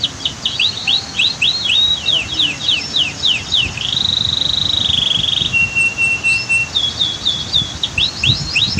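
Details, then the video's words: Canary from a 2022 masteran recording near a waterfall and dam: fast downslurred notes, a long smooth held whistle, a lower flat tone, then more rapid chips, with rushing water throughout. "Masteran Kicau KENARI"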